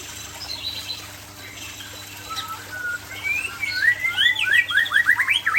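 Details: White-rumped shama of the Aceh type: quiet, faint notes at first, then a loud burst of fast, rising whistled notes repeated in quick succession during the final two seconds, over a faint constant hum.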